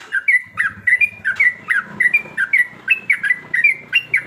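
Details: Yellow-vented bulbul in lively song gives a steady series of short, chirpy, bubbly whistled phrases, roughly one every third of a second, over a faint low background hum.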